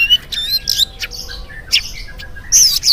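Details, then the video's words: Oriental magpie-robin singing in the morning as a lure to prompt other magpie-robins to sing, giving a short burst of loud, high, squeaky whistles and harsh chirps separated by brief quiet gaps. "PANCINGAN AWAL SUARA KACER GACOR DI PAGI HARI KACER APA SAJA LANGSUNG NYAUT IKUT BUNYI"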